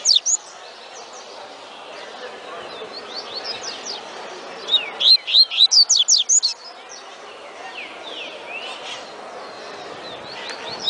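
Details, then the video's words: Tui tui song of a double-collared seedeater, a fast phrase of sharp descending whistled notes near the middle, framed by softer scattered chirps and a faint murmur in the background. "COLEIRO CANTANDO TUI TUI"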